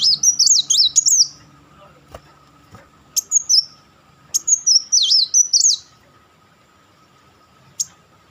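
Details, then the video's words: Crecetan chattering of a kolibri wulung sunbird: fast, wavering high twitter phrases in two main bursts with a few short isolated thin notes between, in a quiet setting with a faint background hum. "crecetan dan tembakan beruntun Kolibri Wulung"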